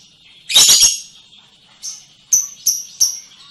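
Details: Lovebird singing in the long ngekek style, a sustained trill: a loud dense buzzy burst followed by short sharp high chirps repeated about every third of a second.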